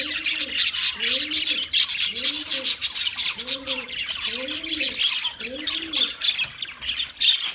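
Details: Chattering budgerigar flock gives busy, overlapping high chirps and squeaky squawks without pause; a lower bird coos in arched, repeated notes about once a second underneath.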